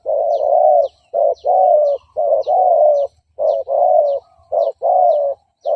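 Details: Decoy recording of a spotted dove cooing to attract and provoke rival males into fighting. Loud, throaty coos come in steady pairs of short and long notes, near-continuous, with soft high ticks above.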